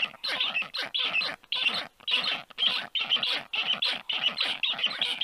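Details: Nestling black storks at 1:30 p.m. on 4 July 2022 reacting to a strange adult landing above the nest; grating, screechy rasps in quick uneven succession, nearly two per second.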